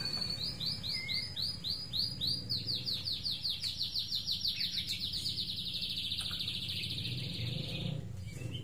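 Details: White-rumped shama after moulting, a tame bird being sunned and trained: long rapid series of high, rising whistled notes repeated about four per second, with higher ticking notes above, fading at the end; low background rumble.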